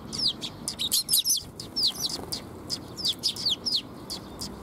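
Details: Sparrows gathering to be fed on 19 June 2021 near a bridge (水上橋): dense lively chirping, many quick slurred notes in bunches, several birds calling over one another.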